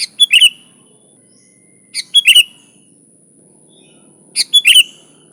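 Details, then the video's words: Sooty-headed bulbul singing energetically, recorded without other birds for luring: three short liquid phrases of three or four notes, roughly every two seconds, above a faint high-pitched hum. "Suara Burung Kutilang Gacor ASLI Tanpa isian, Ampuh untuk Pikat bikin kutilang Ribut gacor"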